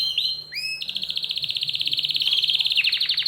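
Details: {'text': 'Agitated canary song opening with a few upward-sweeping whistles, then breaking into a long fast high trill of evenly pulsed notes that briefly steps down near the end.'}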